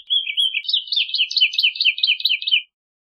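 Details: Woodlark song phrase: a continuous rolling stream of quick, liquid, downslurred notes of varying pitch, lasting under three seconds before stopping.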